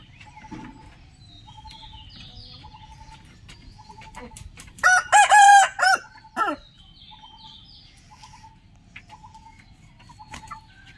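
A rooster gives one loud, harsh cock-a-doodle-doo crow in several rising and falling parts, while small birds keep up soft repeated chirps and twitters.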